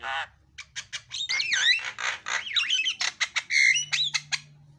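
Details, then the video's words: Javan myna (jalak kebo) in isian filler-song style, used as a lure to get birds singing: harsh squawks give way to rapid twisting whistles and grating notes, ending with a steady whistled tone and short chattering bursts. "JALAK KEBO KICAUAN PALING KREN SUARA ISIAN"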